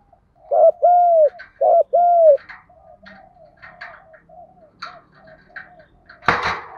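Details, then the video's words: Spotted dove luring call for stimulating other doves: two loud double coos, short note then drawn-out hoot, followed by faint answering coos and a burst of noise at the end. "Tiếng chim cu gáy GÙ Đấu cực chuẩn để kích bổi mới"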